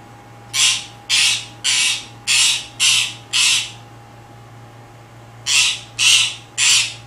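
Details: A pet parakeet barking for attention gives harsh, raspy dog-like barks, six in quick succession about twice a second, a pause, then three more, over a low steady hum.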